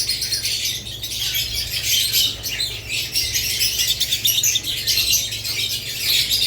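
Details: Budgerigars with lovebirds in constant shrill twittering, many voices overlapping into a dense, scratchy chatter with short rising squeaks.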